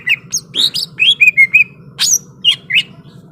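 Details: Combative greater green leafbird song: quick chirps and short bright whistles in an uneven string, some notes rising steeply, with a faint low hum underneath.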